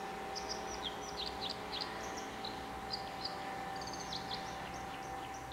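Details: A dipper (Cinclus cinclus) sings a rambling song of thin, high, scratchy notes and brief trills over the steady rush of running water, Derwent Valley, Lochaugh, Durham, 26 December 2018.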